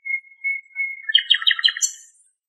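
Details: A wild nightingale sings in Greek nature, recorded from a distance. It repeats a long, steady, pure whistled note three times, then breaks into a rapid rhythmic rattle and a high flourish.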